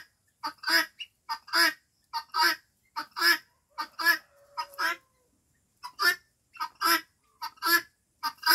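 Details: Five-month-old guineafowl giving harsh, raspy two-part calls, a short clipped note followed by a longer grating one, repeated about every 0.8 seconds with a brief pause midway; a faint low hum sounds once in the background.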